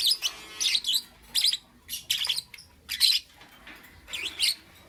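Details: Lovebird in the morning chirping steadily, sharp high twittering bursts of two or three notes repeated about every half second, each with a squeaky up-and-down inflection.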